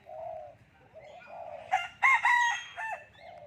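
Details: Talking common hill myna: a drawn-out nasal vowel, then quieter mumbling, and finally two loud, strained, speech-like syllables with ringing overtones followed by a brief high whistle.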